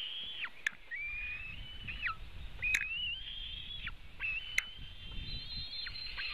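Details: White-tailed eagle at its Latvian nest while feeding eaglets, June 2018: long thin whistled calls held level then dropping sharply, in several drawn-out phrases, with faint clicks and low background rumble.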